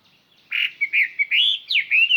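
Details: Decoy Chinese hwamei song meant to lure other birds: a short, loud string of clear whistled notes, some held, some swooping up and down, ringing and carrying far.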